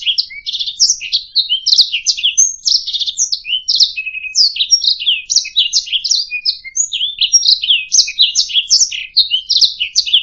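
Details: Canary warbling for use in teaching other songbirds to sing: ten seconds of dense, rapid high notes, zigzag slurs and short buzzy trills, nearly without pause, a brief drop in intensity near the middle.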